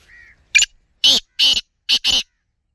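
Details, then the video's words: A black francolin gives one sharp opening note and then four loud, harsh, grating notes in a rhythmic phrase lasting under two seconds. A faint thin whistle comes just before. "kala Teetar ki awaz - Black francolin - teetar voice - black teetar ki awaz"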